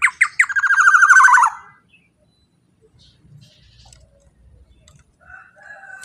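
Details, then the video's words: Black-naped oriole, loud and forceful, used as a lure to draw other orioles: a few sharp notes run into a rapid raspy, buzzy, descending rattle lasting about a second, then near silence with faint low rumble and a distant call. "suara KEPODANG GACOR super KERAS LANTANG cocok untuk pancingan kepodang emas"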